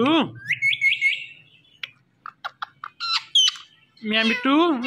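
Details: Pet Indian ringneck parrot talking, imitating human speech, said to love watching a phone and talking to it; a harmonic, voice-like phrase opens, then a string of rising whistled notes and short chirps, ending in another warbling speech-like phrase.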